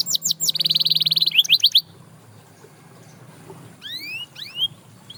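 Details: Canary singing in a way said to inspire other canaries to sing again: a short burst of rapid high notes and a fast steady trill, then a pause, then a few separate rising whistled sweeps.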